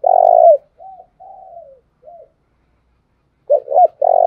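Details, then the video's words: Spotted dove decoy calling to provoke wild doves into cooing: a loud, low, steady coo opens, then softer drawn-out and falling coos follow, and the clip ends with two short rising notes before another long coo. "Tiếng chim cu mồi thúc sung nghe là ghiền bổi nghe là 100% gáy"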